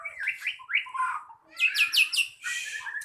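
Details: White-rumped shama in a singing contest, pouring out a rich, varied song: rising whistled slurs followed by a quick series of bright, descending chirped notes, then a short buzzy burst.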